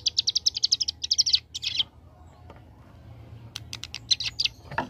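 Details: Ciblek gunung (hill prinia), a young bird in ngebren song: a fast rattle of high, clipped notes for nearly two seconds, a short pause, then more quick high bursts.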